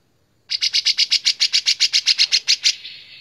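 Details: White-shouldered triller singing for a songbird-training master recording: about fifteen sharp, high notes delivered in a fast, even series, roughly six per second, trailing off into a thin buzzy fade.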